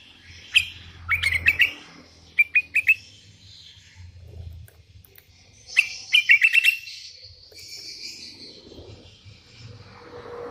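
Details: A sooty-headed bulbul calling rivals as wild birds answer, giving brief groups of three or four fast bright notes separated by quiet stretches, over a soft low background rumble.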